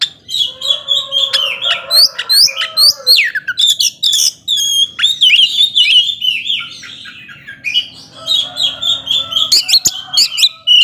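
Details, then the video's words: Oriental magpie-robin singing hard to rouse emotion in slower birds: long flowing run of whistles, buzzy chatter and steep slurred notes with brief pauses, a soft lower warble in the background. "Kacer gacor ngobra bisa memancing emosi kacer yang lambat emosi"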